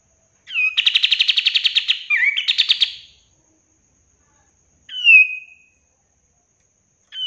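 A Sooty-headed Bulbul gives a fast, bright rattle of about fifteen high notes, then a single slurred whistle a couple of seconds later, with no background noise.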